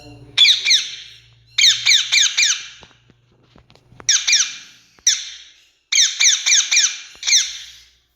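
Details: Indian rose-ringed parakeet calling: harsh, downward-sliding squawks delivered in rapid bursts of four or five, four bursts separated by short pauses, with a faint low hum early on.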